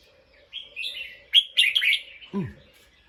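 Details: Alert bulbul reacting after hearing a sound: a rapid run of bubbly, warbled chirps rising and falling, ending with a brief lower note, over a quiet background.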